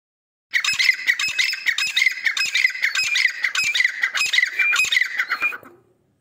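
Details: Grey francolin from a breeding pair in Pakistan: loud, harsh, squawking notes repeated rapidly, close to two per second, in a dense five-second burst before stopping abruptly.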